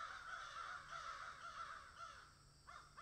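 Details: A crow at a tree where it found something gives a long run of rasping caws, fading out, then two quick separate caws near the end against soft background hiss.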